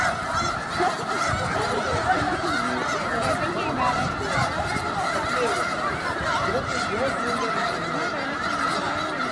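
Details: Snow geese massed in a huge flock in Skagit County, Washington, calling all at once. Countless nasal honks blend into a continuous roaring chorus, with individual yelps occasionally standing out.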